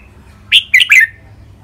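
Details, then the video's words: A red-whiskered bulbul, one of two caged birds recorded for training song in len rik and boen styles, delivers a single quick phrase of three bright, falling whistled notes. "นกกรงหัวจุก เสียงร้องเล่นริกเบิ้ล ลากหวาย แม่บท นับดอก"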